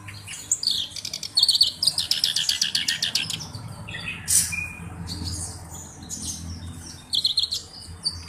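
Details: Black-browed reed warbler pouring out rapid song, dry rattling trills mixed with bright high squeaks and whistled phrases, in bursts and gaps.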